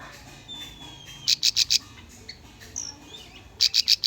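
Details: Bar-winged prinia training song for young birds: two short bursts of four high, sharp notes, with thin faint whistles in between.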